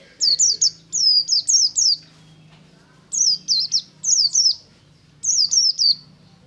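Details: Morning ngalas singing by a white-eye: crisp high chirps falling in pitch, delivered in tight bursts of three to five notes with brief gaps, over a low steady hum.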